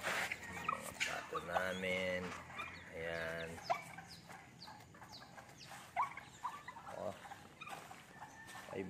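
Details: Newly acquired pet Serama chickens being fed give two drawn-out, harsh, nasal calls lasting under a second each, with people talking and laughing throughout.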